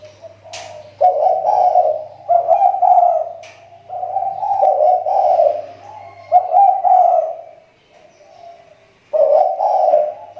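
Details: Lure spotted dove from the Riau Islands, its call improving after a slump: a string of rolling, guttural coos in several uneven phrases with short pauses and a low electrical hum.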